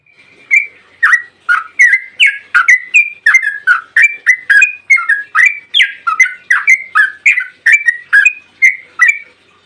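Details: Yellow-vented bulbul (trucukan) in long 'ropel' song, played as a lure to prompt other bulbuls to answer: a continuous string of bright, slurred chirps, each note sweeping down then up, delivered about twice a second without pause.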